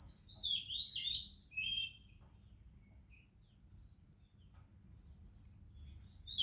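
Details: Indian morning recording of an Oriental magpie-robin with other birds: melodious whistled phrases opening the passage, then quiet with a continuous high insect buzz, and more sweet whistles returning near the end.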